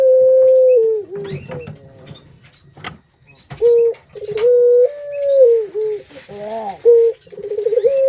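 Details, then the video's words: Caged Barbary dove call serving as a lure for other doves: a long level coo with a downward ending, a pause with soft clicks and rustle, then more long coos and short rolled bursts. "Pancingan Burung Puter Paling Keren"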